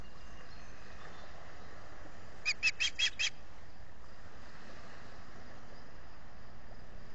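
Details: Osprey at a nest in the Finger Lakes, US, calling for fish on a June 2021 morning, picked up by a solar-powered nest camera: a quick series of five sharp, high chirps lasting under a second, over steady background hiss.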